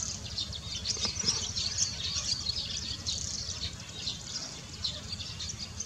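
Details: Barn swallows (Hirundo rustica) at Baisha, Wangshan, on 14 March 2018, giving rapid high chirps and twitters that run together almost continuously, with a low background hum underneath.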